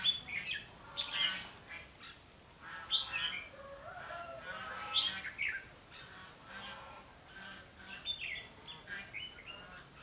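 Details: Red-whiskered bulbul recorded while trapping on 21 November 2016: louder, dense run of chirpy whistled and slightly harsh notes, phrases overlapping almost continuously for ten seconds with short pauses between bursts.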